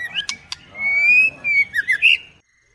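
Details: Female white-rumped shama in first plumage: two sharp clicks, then a long, slowly rising pure whistle, followed by quick slurred and warbled notes. A faint low hum sits underneath.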